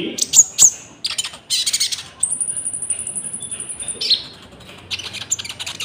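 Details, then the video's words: Konin lure recording with cricket sounds, for trapping and training caged birds. Quick high chirps lead into a long, steady, very high thin trill lasting nearly two seconds, followed by a few more chirps. "PANCINGAN GACOR BURUNG KONIN ISIAN JANGKRIK"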